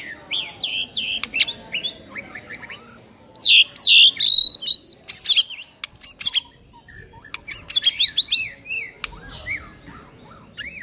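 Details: White-rumped shama singing varied, fast phrases of sharp whistles, swoops and high rapid-fire notes in tight bursts with brief pauses, meant to stir a lazy bird to sing.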